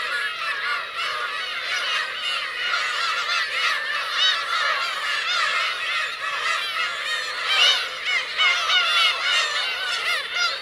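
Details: Black-tailed gulls, adults with young, calling on the Kurosaki coast of Teuri Island, Hokkaido, Japan, in June 2021; a thick, unbroken tangle of wavering mews from many birds, briefly louder near the end.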